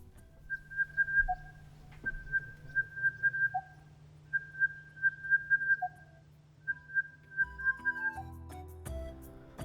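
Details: Crested Bellbird, a call synonymous with inland Australia's outback, giving ringing, bell-like phrases of several quick even notes, each ending lower, repeated every two seconds or so; music swells at the end.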